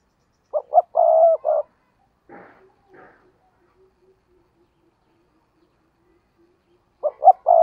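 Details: Spotted dove used as a lure bird in a tree, calling to provoke wild doves to coo; one soft two-note-plus-long-croon phrase, faint scratchy clicks in the middle, then the phrase starts again at the end.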